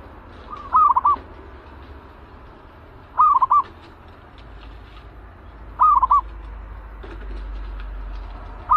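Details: Aggressive zebra dove in a cage, prepared for trapping use, delivers four stuttered trilling coo phrases at fairly even intervals of about two and a half seconds over steady low-pitched background noise.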